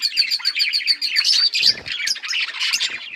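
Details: Australian parrots chirping in quick repeated ticking notes over continuous warbling chatter, with a low rumble midway.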